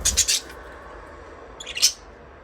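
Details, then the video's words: Budgerigar chirping: two brief, high, scratchy chirp bursts, one at the start and another after a pause of over a second, in a quiet indoor space. "Budgies parrot chirping sound"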